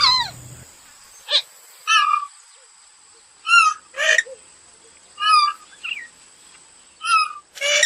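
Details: Kalim, the purple swamphen, calling in short nasal squawks, roughly eight bursts at irregular intervals, some slurred downward, against an otherwise quiet background.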